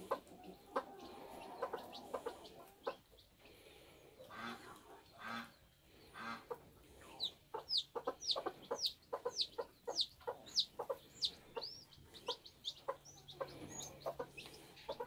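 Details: Bantam chicks hatching on a homestead, with rapid, thin, downward-slurred peeps repeated many times a second in the second half, over low clucking and a steady low hum.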